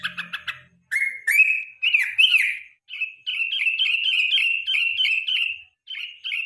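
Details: Yellow-vented bulbul in the evening, a lure recording for training contest songbirds: a few dry clicks, then bubbly whistled notes, each rising briefly and dropping, in quick runs with short pauses.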